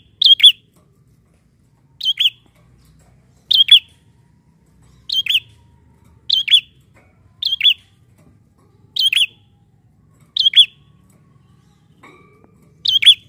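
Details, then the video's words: A prinia (prenjak) gives sharp, high chirped notes, each a quick two-part burst, repeated about every one and a half seconds against a quiet background, as a lure call for wild-caught birds. "PANCINGAN BUNYI PRENJAK BAHAN"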